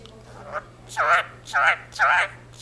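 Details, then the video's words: Indian ringneck parakeet kept as a pet, speaking a Punjabi phrase, the jaikara; three or four short, harsh, raspy speech-like syllables in quick succession, with a steady low electrical hum. "talking parrot jaikara indian ringneck speaks in punjabi"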